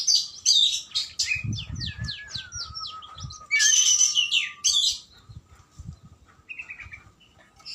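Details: Oriental magpie-robin song: varied, loud high phrases mixing buzzy rattles, quick descending slurred notes and sweet whistles, with a long thin whistle gliding slowly downward across the middle, then softer, scratchy notes toward the end.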